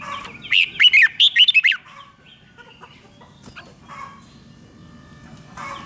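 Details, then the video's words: Caged-bird training song of the Red-whiskered bulbul, played to stir up other birds: one loud burst of quick looping whistled notes early on, then soft scattered chirps and faint background calls. "เสียงนกกรงหัวจุก ร้อง ริก เปิดให้นกฟัง ยั่วให้นกคึกจัด"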